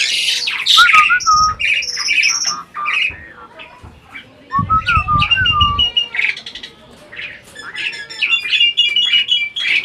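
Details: Adult Asian pied starling in captivity mimicking speech, mixing clear down-slurred whistles, buzzy chatter and harsh notes, with a lower rough burst midway and a series of thin repeated high tones later.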